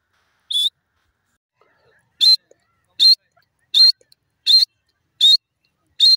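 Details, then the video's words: Grey francolin giving short, sharp, high notes, one after another roughly every three-quarters of a second, with clean silence between them. "dakhni teter bird ki awaz"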